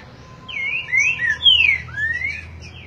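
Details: Green-winged Saltator, 'boi' song style: rich whistled phrase of four or five sweeping slurred notes, rising then falling, lasting under two seconds, with a faint steady low hum beneath.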